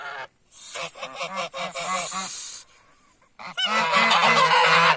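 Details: Geese calling when humans draw near: a run of rapid, regular honks, then a hissing, noisy stretch and a near-quiet pause, before a loud burst of overlapping honking.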